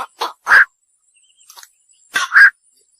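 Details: Night heron (bakchu) calls: a few short, coarse, barking croaks in two clusters separated by a quiet gap, with faint rustling in between.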